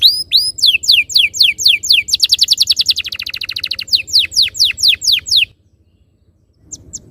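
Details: Canary song used as a lure to get other canaries singing: fast series of sharp, high, descending whistled notes, a stretch of rapid rolling trills, more repeated downslurred notes, then a brief pause with a low background hum.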